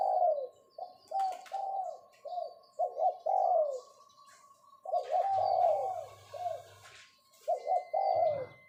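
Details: Captive spotted dove used as a decoy, giving its 'pho pho' summoning call: mellow, throaty coos in short bursts and longer rolling phrases, with pauses between groups and faint chirps of small birds in the background.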